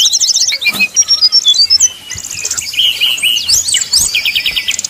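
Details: Brown-chested jungle flycatcher in 'nyuling' flute-like song style, used as a lure to provoke rivals: rapid high whistled notes and chattering trills, with short slurred phrases, delivered in quick bursts with brief gaps.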